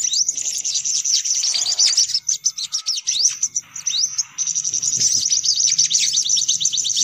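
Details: Sunbirds calling in a recording for luring them: high scratchy twitters broken by distinct sharp upslurred notes, then a long busy run of fast trills.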